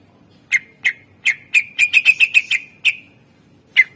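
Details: Greater green leafbird singing actively with filled-in phrases: sharp chips that speed into a rapid stuttering run of about eight notes, then slow again to single spaced chips, clean and loud.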